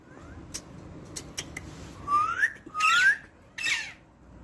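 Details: Parrot voicing two clear rising whistled notes, each sweeping upward over about a third of a second, followed by a brief harsher squawk, with sharp clicks and tapping earlier on.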